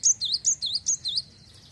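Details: Java sparrow, a singing bird used to stimulate other Java sparrows to sing: rapid run of high bell-like chirps with dipping, V-shaped notes, about six in just over a second, then quiet.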